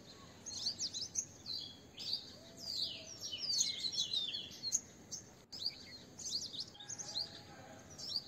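Green bee-eaters give high, thin trilled chirps, several birds overlapping in quick bursts throughout, over a faint outdoor background hiss.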